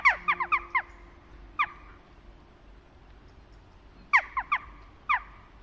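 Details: Sparse Western jackdaw calls in autumn: an opening burst of quick 'tchak' notes, then isolated single and paired calls with quiet gaps between.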